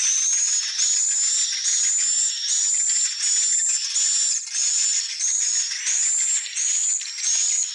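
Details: High, thin swiftlet chirps repeated in regular pulses, each burst a slightly rising whistled note over a hissing twitter, about 86 bursts a minute with no other sounds.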